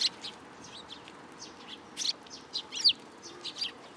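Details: Sparrows come together for food at a Tenmangu shrine on 10 July 2022. Thin, high chirps sound irregularly, some soft and some louder, with a couple of sharper notes near the end.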